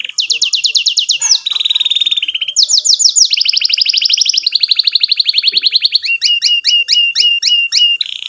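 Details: Canary song in the gacor, long cuit-cuit, rolling ngerol style, played to young canaries learning to sing: quick series of falling notes, a lower steady roll, sweeping phrases, ending in clipped paired notes.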